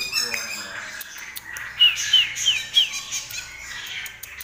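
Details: Long-tailed shrike (cendet or pentet) singing actively with rich, varied phrases. Short bright notes and chirps are strung in a quick, uneven run, with a murmur of speech in the background.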